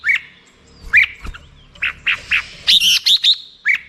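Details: Black-crested bulbul giving spaced, short slurred chirps, then a quicker cluster of higher bright notes, with faint low thumps in the background.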